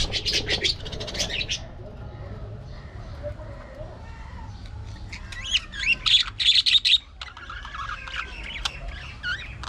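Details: A budgerigar colony in an aviary, with a burst of scratchy chatter, a quieter stretch of soft warbling, then a run of loud, rapid, sharp chirps and looping twittered notes.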